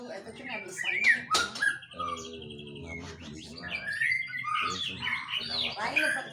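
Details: White-rumped shama (Copsychus malabaricus), mimicked song.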